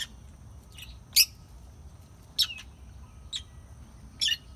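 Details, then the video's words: Lovebirds making sparse, sharp high chirps, about five short squeaky notes spread across a few seconds, separated by quiet low background noise. "Chirping love birds"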